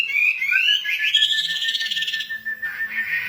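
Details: Singing female wambi delivering a continuous warbled, whistled phrase that rises and wavers in pitch, with a bright fluty quality and small trills, ending in softer dipping notes.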